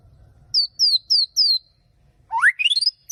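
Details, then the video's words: White-rumped shama warming up: four high, thin whistles slurring downward, a pause, then a quick rising run of bright notes climbing steeply in pitch, over a faint low rumble. "Buat pemanasan murai gaes"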